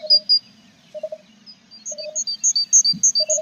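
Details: Inside a tit nest box with chicks, 21 April: scattered thin chirps quicken into a fast run of very high, sharp notes toward the end, with a steady hum beneath.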